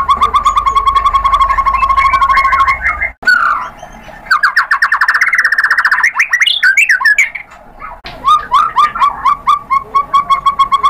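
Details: White-rumped shama song used as a lure to prompt other shamas to sing back: fast runs of repeated mid-pitched notes, a short break, then dense buzzy phrases and a series of quick chirps with abrupt cuts.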